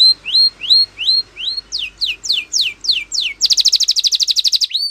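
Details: Champion Spanish Timbrado canary training song: rising whistled notes repeated about twice a second, then steep descending sweeps, ending in a fast, loud metallic trill.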